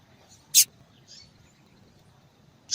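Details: Yellow-bellied seedeater female giving attention-drawing calls: one intense short high chip followed by a soft faint note, and another chirp starting at the very end.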